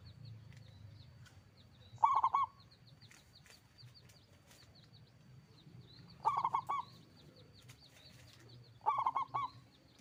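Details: Local zebra dove, a frequent, loud-voiced singer, gives three short bursts of quick, rolling coos spread across the stretch, with faint high chirps from other birds between phrases.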